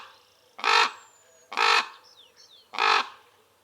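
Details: Common Ravens recorded in wild acacia woodland: a raven gives three harsh, hoarse croaks about a second apart, with faint thin descending whistles from another bird in between.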